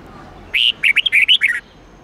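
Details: Red-whiskered bulbul singing the '8-9-10 note' twisting song style used to train bulbuls to sing: a quick phrase of about seven clear whistled notes, rising and falling, lasting about one second, over a quiet hiss.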